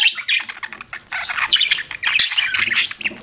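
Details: Pet budgerigar chirping: dense, busy warbling of squawky chirps and short whistles, tumbling quickly over one another with scarcely a pause.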